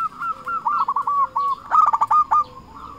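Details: Local zebra dove in full voice, a lure bird calling rivals: rapid stuttering coos near one pitch, broken into quick clipped notes, with a second burst of harsher trilled notes midway and a faint lower coo underneath.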